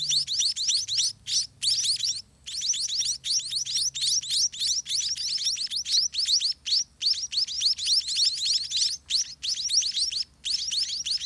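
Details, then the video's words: Hungry scaly-breasted munia (spotted munia) chicks in a droppings-soiled nest, being fed by parents all day; a dense, continuous stream of thin, high, rising chirps, several per second, with brief pauses around two seconds in. "Hungry Spotted Munia Baby Eat All Day"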